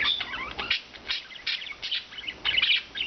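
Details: Free-living rescued budgerigars, four colourful birds indoors, trade quick high chirps and buzzy squeaks in a lively, stuttering sequence of short bursts.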